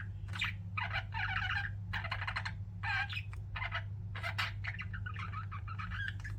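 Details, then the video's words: Several pet budgies chirping in dense bursts of scratchy, warbling chatter with brief pauses between phrases, over a constant low hum in the background. "CUTE PET BUDGIES CHIRPING"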